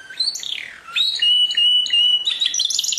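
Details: Canary singing: high, fast warbling phrases with rising and falling whistled notes, then long steady trills and rapid repeated chips, all bright and clear.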